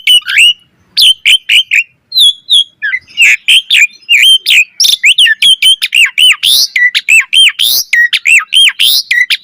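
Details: Asian pied starling singing busily with a rich repertoire for tutoring other starlings: dense strings of short hooked whistles mixed with harsh squawky notes, speeding up into a near-continuous chatter.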